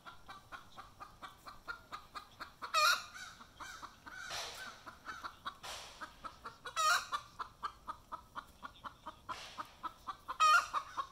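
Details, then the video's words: Hen singing her egg song just after laying an egg, caught in the act: rapid clucks about four per second broken by three loud drawn-out squawks spaced roughly four seconds apart. "Mae's Egg Song"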